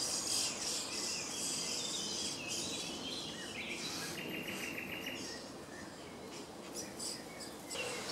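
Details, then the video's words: Common starling (Sturnus vulgaris) in a small grove by Jarun, Zagreb, Croatia, at the end of April or start of May 2017: a busy jumble of high chattering and whistled notes, with a steady low hum underneath. "Čvorak (Sturnus vulgaris) (Birds of Croatia - Starling)"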